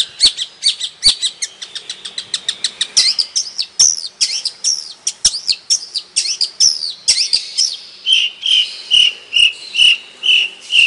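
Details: A Madura long-tailed shrike's original song: a fast run of high chips, then varied slurred whistles, ending in evenly spaced clear whistles about once a second, with occasional sharp clicks.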